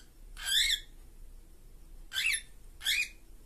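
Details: Two cockatiels in a cage give one long grating screech, then after a pause two shorter rasping squawks in quick succession, with a quiet hum underneath.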